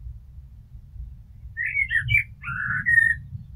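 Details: Common blackbird song with a lower, rich fluting: warbled whistles dipping and rising, then a longer mellow descending note and a level whistle, over a soft low rumble.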